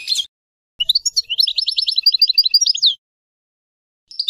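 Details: Song of a European goldfinch: one high chirp, then a rapid, rhythmic string of sweet twittering notes lasting about two seconds, and a final short chirp after a silent gap.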